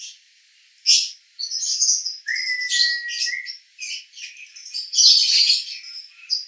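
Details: Male lovebird singing in the konslet 'roda gila' style, recorded in Cibinong, Bogor: scattered shrill chirps and squeaky bursts with gaps between them, plus one long, low, flat whistle held for about a second midway.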